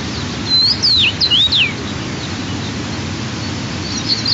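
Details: White-tailed eagle nest with two young eaglets, 12 and 14 days after hatching, at the second family feeding on a June 2023 morning: four or five sharp, high whistled notes sweeping up and down in a burst, then softer faint peeps over constant hiss.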